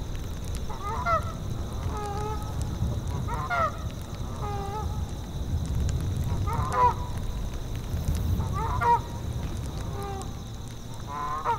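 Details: Geese in a tundra soundscape honk in short nasal bursts roughly every one to two seconds, some notes sliding upward, over a steady low rumble of wind.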